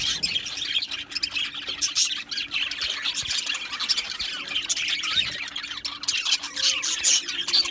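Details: Aviary budgies, an Australian parakeet colony, producing an unbroken mesh of thin chirps, squeaks and soft warbles, many voices overlapping at a moderate level.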